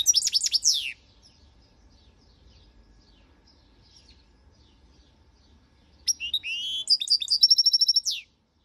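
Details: Goldfinch song: a short burst of bright, high twittering notes, then a quiet pause of several seconds, then a longer run of tinkling, liquid chirps and a fast trill.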